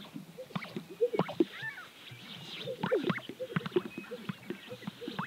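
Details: Greater sage-grouse displaying on their lek in Central Montana over a weekend; soft low popping and bubbling notes with brief swishing sounds, repeated in overlapping bursts against a quiet open background.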